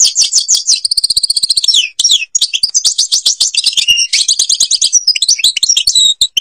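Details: An Algerian European goldfinch pours out its Babas forest Tiberli song, a continuous rush of high twitters, rolling trills and quick slurred chirps.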